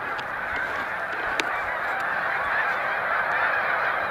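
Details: Migrating Snow Geese in large flocks at a spring rest stop, Cayuga Lake, New York, 20 March 2021: overlapping honks form a dense, steady clamour, with a few faint clicks early on.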